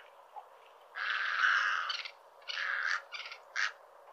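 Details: Cattle egret calling with a long rasping squawk of about a second, followed by a shorter harsh burst and two clipped croaks in quick succession, over faint background hiss.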